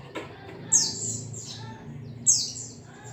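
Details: A white-eye (Zosterops) recording, used as a lure to get kept birds singing, gives two thin, very high notes that slide quickly downward, about a second and a half apart, over a low background hum.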